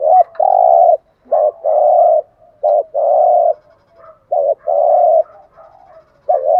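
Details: Spotted dove cooing steadily in the 'gù thúc' routine, a good-voiced bird played to set decoy doves cooing: four paired phrases, each a short clipped note then a long, low, even coo, coming roughly every one and a half seconds.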